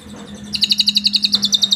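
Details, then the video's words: Asian pied starling with canary song imitations, used as a tutor for other birds: a quick, evenly pulsed high trill of about fourteen notes over a steady low hum. "jalak suren isian kenari cililin cocok buat masteran"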